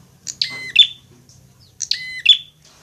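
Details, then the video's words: Agitated prinia during a fight, used to teach other birds to sing: two loud, grating double chirps about a second and a half apart, with near silence around them. "masteran prenjak agar cepat gacor"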